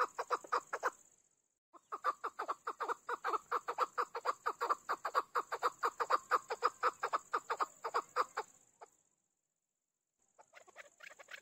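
A chukar partridge gives a long, rapid run of harsh clucking chuck notes, about two per second, pausing and resuming, over a steady high hiss.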